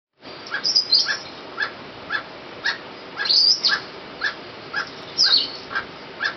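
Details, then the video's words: Emerald toucanet (Aulacorhynchus prasinus) at La Cinchona de Alajuela, Costa Rica, in February 2013: short rhythmic croaking notes repeated about every half second, with sharp high chirps from other birds over a steady hiss. "Emerald Toucanet"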